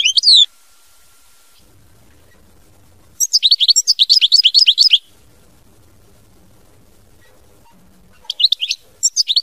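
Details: European goldfinch singing in the mama binette song style: bright, high twittering phrases of rapid liquid chirps, a brief burst at the start, a longer run mid-clip and another near the end, separated by quiet pauses.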